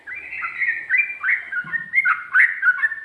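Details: Sooty-headed bulbul in the 'ropel' style with 'ngikluk' and 'ngGARUDA' variations: a continuous warbling stream of rich whistles, gliding and wavering, with a faint low thud midway.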